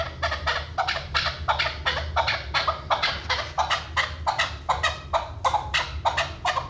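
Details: A Chukar partridge, possibly female, gives a run of harsh, clucking chuk notes, about one or two a second in loose rhythm, over a low steady rumble.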